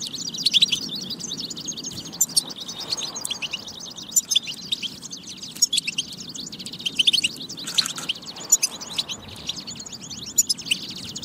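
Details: European goldfinch song intended to stimulate singing in goldfinches: a long, continuous stream of thin, rapid high twitters, fairly even in loudness, with scattered sharper chirps and a short buzzy burst near the eighth second over low background hum.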